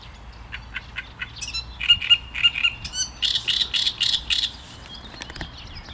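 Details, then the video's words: Great reed warbler delivering one loud phrase: a few clicks lead into repeated rasping notes, then a louder run of harsh, pulsing syllables before fading. "Trzciniak i jego śpiew"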